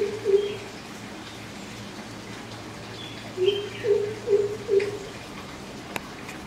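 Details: Greater coucal calling: deep, hollow hoots, one early then a run of four evenly spaced notes about half a second apart, over a low steady hum.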